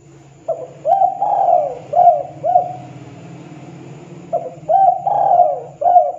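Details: Spotted dove uttering a call that prompts other doves to respond: two paired phrases of mellow coos with a drawn-out, rolling, falling middle note, against a steady low humming background.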